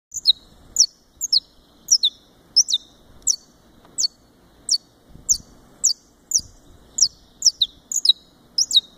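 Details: Saffron finch, Brazilian form, giving sharp, high, downslurred chips in pairs, about two per second, in a steady run over faint background hum; recorded at a breeding aviary in Fortaleza, Ceará, Brazil.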